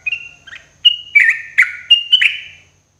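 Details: Yellow-vented bulbul singing in the morning, used as therapy sound for cage birds: short bright whistled phrases, some held flat, others sliding downward, given in quick bursts about every half second.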